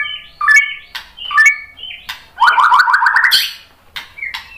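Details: White-rumped shama song used to provoke other shamas into singing: varied whistled phrases, short chirps and a rapid rising buzzy trill, with brief pauses between bursts.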